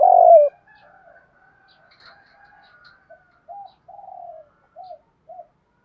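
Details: Spotted dove coos, from male and female birds, meant to rouse training doves to call: one loud low falling coo, then soft murmurs and four short arched coos spaced apart.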